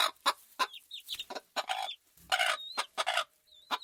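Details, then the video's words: Chickens on a farm: irregular harsh clucks from several birds mixed with short high whistled peeps and a low thud near the middle. "Farm Chickens Ambience Sound Effect"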